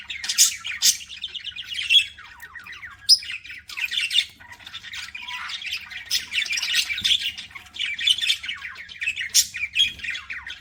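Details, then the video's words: Budgerigars chirping while eating: a constant stream of scratchy squawks, rapid chirps and occasional higher whistles from the pet birds. "PARAKEET EATING SOUNDS"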